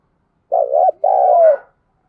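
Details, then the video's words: In the thúc gù or calling style of early dawn, a spotted dove delivers one deep two-part coo: a quick wavering note followed by a longer level note that drops at the end. "Tiếng chim cu gáy thúc gù và gáy gọi lúc tờ mờ sáng"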